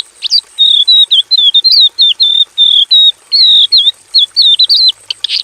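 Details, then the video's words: Javan bush lark in a simple aviary, producing a steady chain of clear, slurred mid-high whistles with small upward and downward twists, ending in a buzzy burst. "KICAU SUARA BURUNG BRANJANGAN JAVANICA GACOR FULL ISIAN BIKIN MERDU DI KANDANG AVIARY SEDERHANA"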